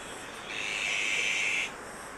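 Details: Azure-winged magpies tending chicks at Maeji-ri, Wonju, Korea: a single long, raspy hiss of about one second, gently rising in loudness and ending abruptly, over continuous broadband background noise.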